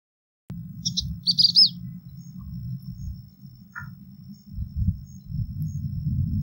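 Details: Calling Bengal bush lark: a tight cluster of high, thin chirps early on, one brief lower note a couple of seconds later, all over a steady low rumble.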